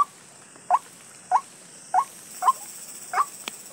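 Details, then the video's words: White-breasted waterhen said to have lost track of its mate, giving five short rising nasal notes at uneven intervals of about half a second, over a steady high hiss. "Ruak ruak lupa dengan pasangan nya"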